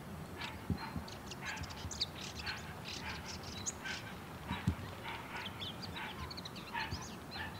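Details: A male bull-headed shrike sings softly in courtship display to a female, a steady stream of quick, squeaky, chattering notes over a low background rumble.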